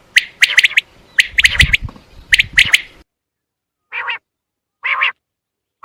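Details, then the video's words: Calls of common quail used to attract birds for hunting: quick groups of sharp, high clicking notes over low rumbling noise, then three short buzzy notes spaced about a second apart. "زیادہ سے زیادہ بٹر پکڑنے کے لیے اس اواز کو استعمال کریں"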